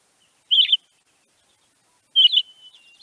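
Pine Grosbeak flight calls: two short, warbled whistled notes about one and a half seconds apart, the second trailing into a thin whistle.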